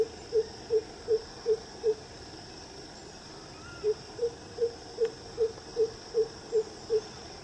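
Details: Greater coucal calling far from the camera, giving deep, hollow hoots, a run of five and then nine, about three per second, over a steady high insect-like hiss.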